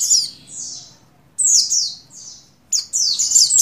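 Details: Female buxtoni white-eye in breeding condition, calling the male. High descending chirps cluster into three quick bursts of two or three notes each, each burst trailing off into a faint echo.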